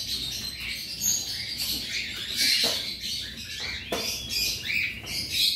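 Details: Cockatiels, about 100 birds kept together in a colony aviary during daily cage cleaning. Shrill, buzzy chirps overlap constantly, with sharp clicks and knocks in between.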